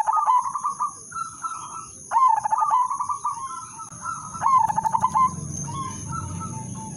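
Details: Zebra dove lure song from an Udanmas Silver bird, used to get other doves singing. Repeated stuttering bursts each run into a warbling coo, about three phrases in seven seconds. A low rumble and a constant high whine sit underneath.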